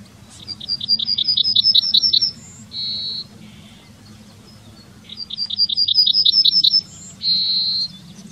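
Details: Two complete Yellowhammer songs from Wittlich town, 2019. Each is a rapid string of about a dozen high chips finishing with a long note and a lower, softer drawl, repeated after a short pause.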